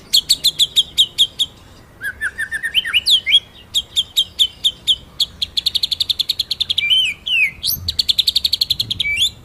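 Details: White-rumped shama song as master for training other birds: long fast rolls of sharp repeated notes, a lower rising whistled run, and looping whistled slurs between the rolls.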